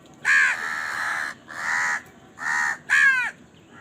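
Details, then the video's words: Crow caws while eating: four loud, harsh calls in quick succession, the first and last shortest and sharpest, the middle two longer and drawn out, over quiet background. "Crow Bird Eating Scenes and Crowing Sound"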